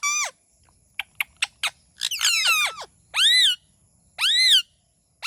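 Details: Talking pet parrot making a series of quick clicks and chirps, then a run of rising-falling squawks that ends in three drawn-out arched screeches spaced roughly a second apart, with no other sounds present.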